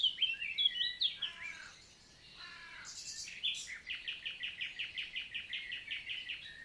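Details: Common nightingale (Luscinia megarhynchos) in daytime summer forest, Lot, southern France, 11 June 2023; descending whistled notes and quick slurs open, followed by a long even series of repeated high notes at about three per second.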